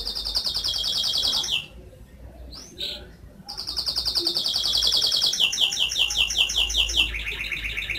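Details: Canary song with a fast rolling trill, a short pause broken by soft notes, then a long steady trill shifting down into a lower rolling tour.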